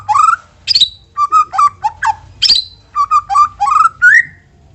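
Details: Lure song of a white-rumped shama, meant to spur other shamas into active singing: rich fluting whistles alternating with sharp high chips, delivered in brisk separate phrases about every half second.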